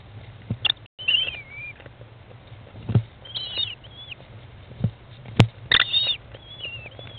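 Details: American kestrel mother feeding chicks in a nest box, day 15 after hatching, 20 May 2011, 13:54; bursts of high, wavering, slightly descending whines alternate with loud bumps and scuffles.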